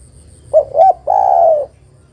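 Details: One calling phrase from a female spotted dove summoning the male: two quick soft coos and then a longer, sustained, husky coo, heard clearly against a quiet background.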